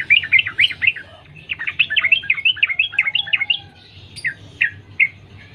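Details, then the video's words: Sooty-headed bulbul (trucukan) recorded wild as a lure to make other bulbuls sing; a fast cascade of warbling notes, then slower spaced chirps toward the end, over a faint low hum. "Trucukan gacor Sambung ropel nguplik alam liar | pancingan trucukan agar bunyi gacor"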